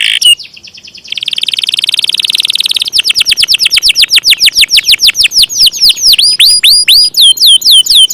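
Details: Canary singing in the long-roll style. A single note comes first, then a sustained buzzy trill, then an extended run of loud downward-swept whistles. The whistles gradually spread out into arched, hooked phrases.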